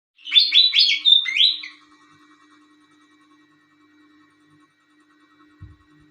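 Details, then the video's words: Pied fantail singing actively at night: a quick burst of three squeaky, high whistled phrases in the first two seconds, then near silence with a steady low hum and a faint thump near the end. "burung kipasan jawa gacor malem hari"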